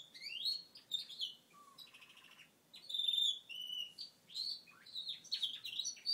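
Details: Male Gloucester canary, a household pet, singing after his moulting period: a continuous varied warble of rising chirps, buzzy rattles, a low whistled note and clear sustained high whistles, almost without pause.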